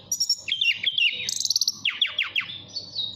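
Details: Caged mountain tailorbird from Purworejo, Central Java, in full flute-like song calling a female: fast trilled and stuttering whistled notes, a bright high burst, then a run of descending sweeps.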